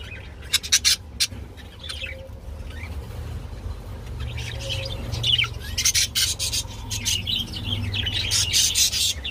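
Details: Budgerigars, possibly mating, chatter in scratchy, high warbles and quick chirps, bursting in clusters throughout, over a steady low hum.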